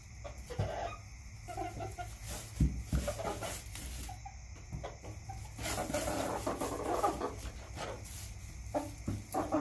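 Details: Domestic chickens in a backyard giving scattered low clucks and soft murmuring notes, with the clucking thickening midway and some low-pitched background noise and thumps.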